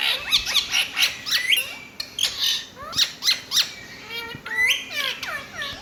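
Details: Indian ringneck parakeet uttering a dense run of loud, grating screeches and chattering squawks, some sliding upward, others short and clipped, almost without pause.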